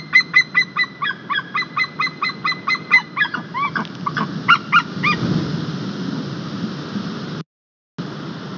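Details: Estonian white-tailed eagles on a nest camera, 21 March 2021, the male bringing a fish and calling the female to her breakfast: quick run of ringing yelps for about five seconds, fading into steady wind-like rumble with a brief dropout.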